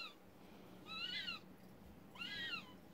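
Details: Captive Eurasian eagle-owl (Bubo bubo) indoors gives two drawn-out, wavering, nasal squealing calls about a second apart, each rising then falling, over a steady low indoor hum.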